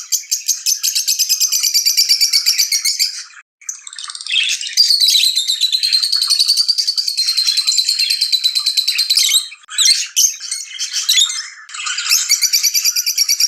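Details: Lovebirds in excited chirping linked to mating: dense, rapid, high twittering chirps in long unbroken runs, with brief pauses near four and ten seconds, a bright chattering flow throughout.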